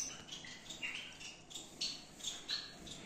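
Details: Gouldian finches in a breeding aviary in Peshawar, KPK, give a brief burst of high chirps and a few thin whistled notes.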